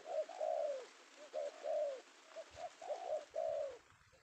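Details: Penguku male spotted dove, an Indonesian lure bird caught in the afternoon; rhythmic low coos, short pips leading into longer descending notes, several phrases repeated before falling quiet.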